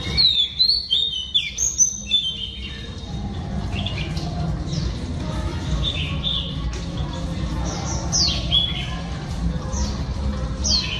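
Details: Female Oriental Magpie Robin singing to stimulate males: short high whistled notes and slurred phrases, sparse at first and then scattered through the clip, over a steady low rumble of background noise.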